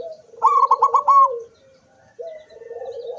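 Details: Zebra dove, beak open in song, 24 September 2023: an emphatic series of rapid, higher, stuttered notes over a low buzzy purr, a brief pause, then a low, rolling coo that rises slightly at the end.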